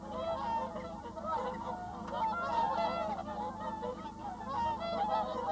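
Whooper swans call in a continuous chorus of loud, bugling honks that overlap from many birds, with a steady low background rumble.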